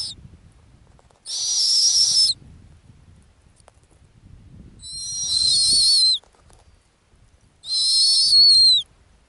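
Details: Female snowy owl nesting on the Arctic ground, calling with loud, harsh, high screeches about a second long. Each ends in a wavering downward slur. Three calls are heard, with quiet low rumble between.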